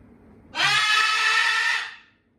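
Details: Pet parrot, possibly a macaw, gives a single loud, harsh, rasping screech lasting about one and a half seconds, starting abruptly and fading at the end, indoors with faint room noise.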